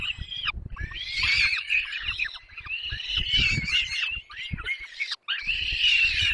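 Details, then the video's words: Several peregrine falcon chicks at a Polish nest in the Barycz Valley, 6 May 2021, being fed. Loud, squawking, quavering screeches tumble out in overlapping bursts with short silent breaks and faint low rumbling. "Sokoły wędrowne Dolina Baryczy (PL) 2021.05.06 - Długo karmione, wszystkie najedzone"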